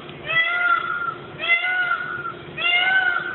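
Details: Peacocks beside a road give three loud, nasal, wailing howls, each about half a second long and just over a second apart, over a low background rumble.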